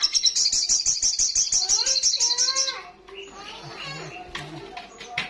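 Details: Olive-backed sunbird in loud ngalas song, opening with a rapid, shrill, buzzy trill of repeated high notes, followed by lower warbled chirps and voice-like sounds.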